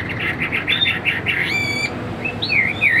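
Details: A caged Chinese hwamei, roughly 85% tame, gives a quick series of repeated whistled notes, then a sustained pure whistle and dipping, swooping slurs, over a faint steady hum.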